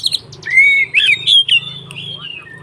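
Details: White-rumped shama in fighting song meant to provoke other shamas: long sweet whistled notes, sliding and wavering, separated by brief harsh bursts, with a low hum behind.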